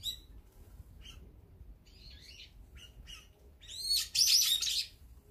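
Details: A flock of brown-eared bulbuls feeding together, with azure-winged magpies, sparrows and tits also named. Thin high chirps come scattered through the first seconds, then a loud, harsh burst of overlapping calls near the end over faint low rumble.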